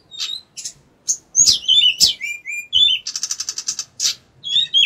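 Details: Pied bushchat (decu) singing actively: a quick mix of sharp chirps, thin descending whistles and short buzzy trills, with brief pauses between the phrases and a rattling series near the end.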